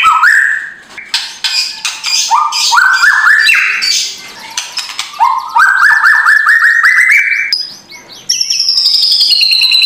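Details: Murai batu, the white-rumped shama, singing a loud, crowded morning song to spur an idle bird: rapid rattles between rising whistled note runs, ending in a long, high, slightly falling buzzy trill.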